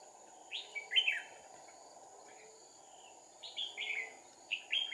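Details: Red-whiskered bulbul fighting song from a decoy during trapping, 2/4/2019: two groups of sharp, downslurred whistled notes, one near the start and a longer run after 3.5 seconds, separated by near silence and a faint steady hum.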